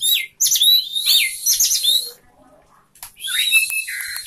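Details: A captive Orange-headed thrush, fanning its tail, sings loud, varied phrases of sweet whistles, slurred notes and sharp chirps in quick bursts, with a brief quieter pause midway.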